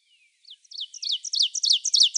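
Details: Ovenbird song in the eastern United States: a series of sharp two-part phrases repeated rapidly, growing steadily louder toward the end.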